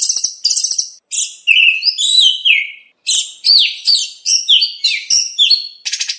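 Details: Oriental magpie-robin (kacer) in a contest training recording: a rich run of short, high whistled and chattering phrases, some buzzy trills and sharp rising notes, separated by brief gaps, with no other sounds.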